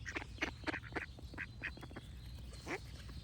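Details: Duck giving a quick run of short, nasal, broadband quacks, several per second at first, then spaced out, with faint bird song and a steady low hum behind.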